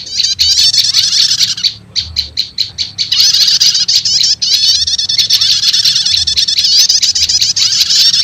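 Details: Combined prenjak lumut and prenjak setater prinia lure for attracting wild prenjak lumut: near-continuous high buzzy trilling with a brief stretch of spaced, sharp chirps early on.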